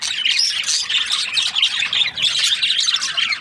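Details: Breeding-season budgies chattering as a group, a continuous bright mix of squeaky chirps, short whistles and scratchy notes with no silent gaps.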